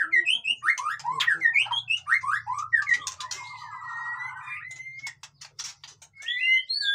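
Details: Busy white-rumped shama (murai batu) song for stirring birds that are lazy to sing: quick, varied whistled phrases, a buzzy trill and a long slurred whistle, with clicks and a low hum beneath.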